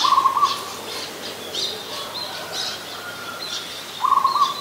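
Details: Adult zebra dove in Ubon Ratchathani, Thailand, on 24 December 2020, opening and closing with fast, even, purring trills on one pitch. Scattered high chirps from other birds fill the gap between them.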